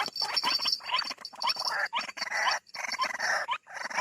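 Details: White-breasted waterhen call, played as a lure to draw birds out of bushes: loud harsh croaking phrases repeated in quick bursts with short gaps, a steady high insect-like tone running through.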